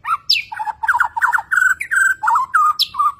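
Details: Newly acquired Borneo-type white-rumped shama, a kept songbird shown in active display, bowing and pumping insistently, delivers a rapid, varied run of rich whistles and slurred notes, with quick stuttering trills, harsher chatters and thin high-pitched accents between them.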